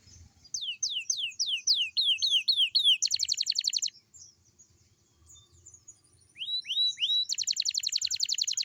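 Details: Morning singing of a young canary, used to encourage young canaries to sing: a run of descending whistled slurs, a fast pulsing trill, a pause, three rising sweeps, then another rapid trill.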